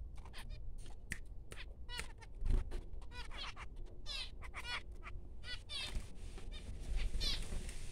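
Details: Faint high cheeping from newborn finches, scattered upslurred squeaks coming in clusters, with a persistent low rumbling noise underneath.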